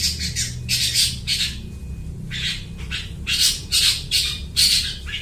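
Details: Long-tailed shrike singing loudly and imitating other birds, used as a lure; grating squawky bursts in uneven groups, one thin held whistle, and a low hum in the background.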